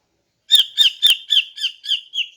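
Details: Female greater green leafbird calling in the morning, used to lure males: seven sharp, chirpy notes repeated about three times a second, each a bright bursting chip with a clicky attack, steady in pitch, no other sounds.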